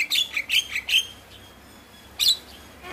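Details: Javan myna lure sound meant to stimulate lazy mynas into singing: four quick harsh squawking notes in a row, a pause of over a second, then one more sharp chattering note and a fainter final squawk.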